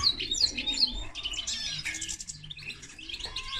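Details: Common linnet and canary hybrid singing a fast, chattering run of high, bright chirps and short trills, opening with three sharp descending notes, with faint low tones beneath.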